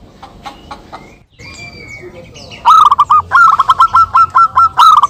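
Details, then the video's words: Local zebra doves singing in answer to each other, used as a lure: soft chirps and a thin whistle at first, then a loud run of rapid, evenly spaced cooing notes. "perkutut lokal gacor suara saling saut"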